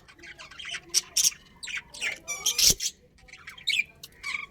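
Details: Budgerigars, a breeding pair in a budgie colony, give harsh, scratchy chirps and squawks in short bursts, roughly ten across the stretch, with brief quiet gaps between them.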